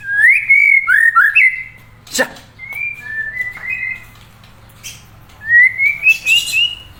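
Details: A murai's melodious song, made of clear whistled phrases that slide up and down, with short gaps between phrases and a sharp click near the middle.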